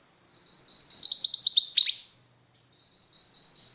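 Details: Chatty female Mountain White-eye, recorded as tutor material for pet white-eyes, gives a soft high warble that swells into a loud, rapid run of sharp twittered notes ending in a dropping chip, then resumes softly after a pause.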